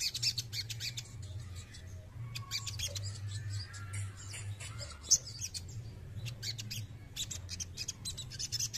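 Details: Male crested jay delivering several separated bursts of rapid dry clicks and rasping chatter, with one sharp loud note partway through and a persistent low hum.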